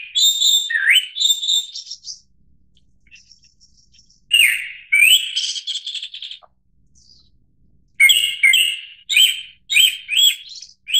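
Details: Japanese thrush (Turdus cardis) singing: clear whistled phrases with a low swooping note, a pause, then bright fluting phrases, then a fast series of short emphatic notes repeated about every half second. No other sounds.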